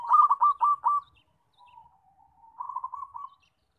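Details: Loud zebra dove call used for luring and trapping: a quick burst of rolling coos near one pitch, a pause, a low drawn-out note, then a second burst of rolling coos.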